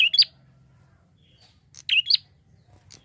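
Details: A prinia calling prolifically, a lure recording for other birds: three bursts of sharp, high, scratchy chirps, each a quick two-note flick, with a long quiet gap between the first two and a faint low hum beneath.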